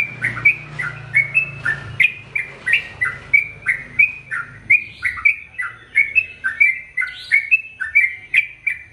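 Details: Long, unbroken bulbul song from a Sooty-headed bulbul offered as a master voice for male and female birds: bouncy two-part chirps, rising then dipping, delivered in a brisk steady stream, with low humming noise at the start.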